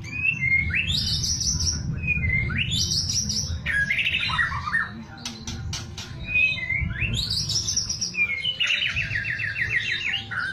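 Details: White-rumped shama singing in kretekan style: loud whistled phrases sweeping sharply upward and holding high, repeated about every two and a half seconds, with a rapid rattling trill near the end, over a steady low hum and a few sharp clicks.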